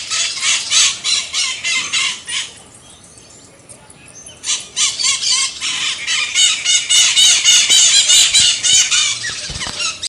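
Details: Scaly-headed parrot, or maitaca-verde, uttering loud, grating squeals repeated several times a second, with a brief pause near the middle before the harsh calls resume, denser and more continuous at the end.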